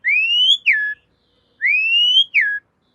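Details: Javan pied starling master whistle for cage-bird training: two identical long whistles, each rising slowly then snapping sharply downward, about one and a half seconds apart, in a clean recording.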